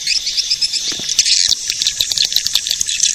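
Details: Edible-nest swiftlet lure call played to attract swiftlets: dense high chirping twitter, many overlapping buzzy chirps above a steady high hiss.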